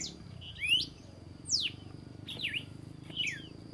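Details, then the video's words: Red-cowled cardinal at dawn giving spaced, bright whistled notes, some slurring upward and others falling steeply, about one phrase each second, over a quiet low background hum. "O canto do galo-de-campina ao amanhecer"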